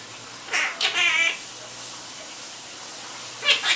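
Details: Chatty pet Quaker parrot gives a quick run of raspy, meow-like syllables lasting under a second, then falls silent before one short nasal squeak at the end, with a low steady hum behind.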